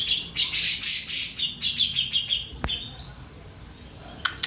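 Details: Grey-cheeked bulbul, master recording for bird training: a loud, dense burst of harsh chattering notes fading into quieter chirps, then a near-silent gap with a couple of clicks.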